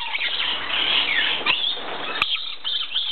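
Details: Red phase dusky lories, a pair of kept birds, give a continuous burst of shrill, grating screeches with short whistled slurs mixed in, loud throughout, one sharp click partway through.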